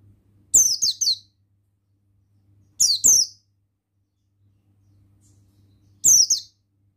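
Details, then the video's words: Male Oriental white-eye, buxtoni form, used to stimulate other males into song: three bursts of high, rapid, falling twittered notes at roughly two-and-a-half-second intervals, with faint low hum. "Bustomi Sembur Gacor Suara Ampuh Pemasteran Burung Pleci Bustomi Ngalas Ikutan Bunyi"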